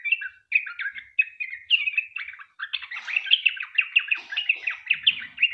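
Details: Sooty-headed bulbul pouring out long 'ropel' singing, used as a lure so other bulbuls join in: clipped whistled notes at first, building into a continuous fast chatter with a faint low sound at the end.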